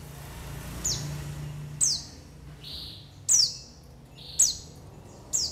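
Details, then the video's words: White-eye call recording used as a lure for attracting and trapping birds: thin, high notes sliding sharply downward, alternating with short, flat, slightly lower whistles, about six notes spaced a second apart over a low background hum. "SUARA PANGGILAN PLECI UNTUK PANCINGAN PLECI AGAR NGALAS BUKA PARUH DAN UNTUK PIKAT"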